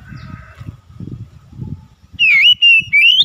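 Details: Oriental magpie-robin lure song meant to rouse birds that sing little: low rumbling noise at first, then three loud, sharp whistled phrases rising and wavering in the second half.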